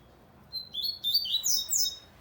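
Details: Double-collared seedeater song: a quick, bright twittering phrase of rising and falling high whistled notes, slurring upward and ending in sharp, rapid high chips. No other sounds stand out.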